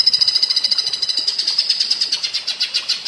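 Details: Cucak ijo, or green leafbird, singing platuk bawang style for training other birds: a steady, shrill, pulsing rattle of quick notes throughout, rising slightly in strength toward the end.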